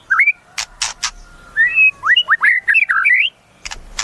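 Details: Caged white-rumped shama singing rich, warbling whistled phrases that rise and fall, framed by a few loud sharp clacks.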